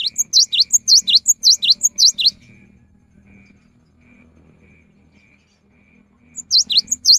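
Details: Cinereous tit singing as a rainy-season lure: a fast run of high, piercing, down-up notes lasting over two seconds, then quiet with low hum, and the phrase resumes at the end.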